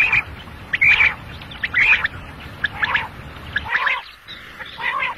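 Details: Single male quail calling, a recording meant for morning and night hunting: short, harsh, chirping notes repeat roughly once a second in uneven bursts over a faint steady hiss.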